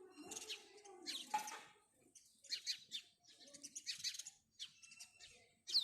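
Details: Chirping house sparrow giving short, bright, scratchy chirps in irregular clusters with brief gaps, plus a sharp note at the very end.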